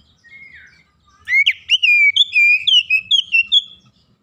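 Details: Oriental magpie-robin, a young bird in training, sings a soft note then a lively sequence of clear whistles, upslurs and level notes lasting about three seconds.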